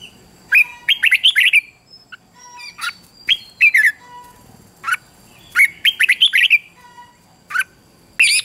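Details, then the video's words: Red-whiskered bulbul competition song recorded to stimulate wild-caught birds: repeated bursts of tumbling whistled notes and squeaky chirps about every one to two seconds, with clicks in between. "luyện cho chào mào bổi hót | luyện giọng chào mào hót sáng kích bổi hót đấu căng lửa. chào mào hót"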